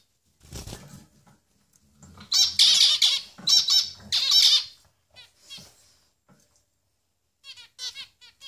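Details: Three finch nestlings growing bigger, giving bursts of high, rapid, scratchy begging squeaks in two loud clusters, then softer repeated chirps near the end; faint low rustling underneath.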